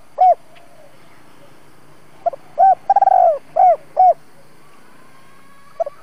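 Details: Spotted dove kept as a decoy to draw wild doves into a trap in Vietnam, 'double voice' calling. An isolated coo opens, then a phrase of soft notes, a rolling stuttered coo and two more coos, with low background hum.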